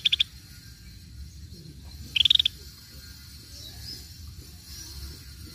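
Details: A brief clipped high rattle from a Cream-vented bulbul, played as a lure, is followed two seconds later by a longer burst of about eight rapid pulsed notes. Then quiet background.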